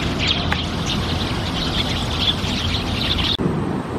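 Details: A gathering of sparrows chirping together: a steady chatter of short, high chirps repeated throughout, over a loud, constant rumble of background noise.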